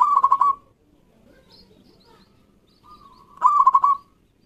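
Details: Loud caged zebra dove song meant to coax silent doves into calling: two bursts of fast, bubbling, trilled coos about three seconds apart, the second preceded by a quiet, steady whistled lead-in.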